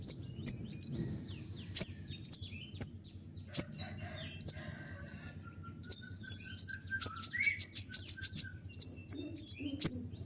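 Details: Common iora, konin gacor, with sharp accented notes and falling slurred whistles, then a fast roll of about eight rapid high strokes near the end. Offered as a master song for training other songbirds. Faint low hum throughout.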